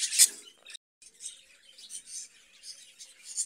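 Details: Caged budgerigars: a sharp loud chirp, a brief silent break, then soft, scattered high twitters and chirrups continuing irregularly.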